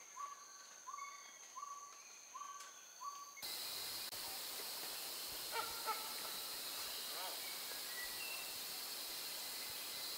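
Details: Male Plain-pouched Hornbill (Rhyticeros subruficollis) perched low in Belum-Temenggor rainforest, Malaysia, giving short, soft, slightly rising calls about every second over a steady insect hum.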